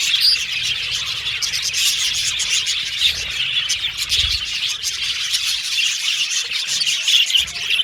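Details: Group of budgies in an aviary singing and chirping during play; steady overlapping high twitter with scattered louder chirps and a few whistled notes.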